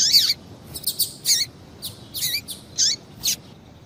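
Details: Female double-collared seedeater calling to excite males into singing: short, high, sharp chirps with quick downward sweeps, about eight notes spaced irregularly over four seconds, against quiet background.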